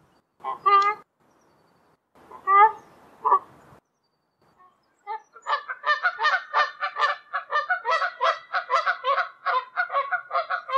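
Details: Wild Canada geese calling in flight high above the ground in Canada: three separate loud honks with silence between, then from five seconds a flock's rapid, overlapping honking in quick rhythmic bursts.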